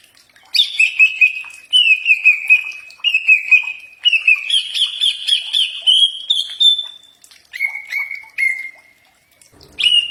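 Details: Greater green leafbird song, used as a training song that birds are sure to answer: clear whistled phrases in steady rising and falling runs, some warbled, with short pauses between phrases.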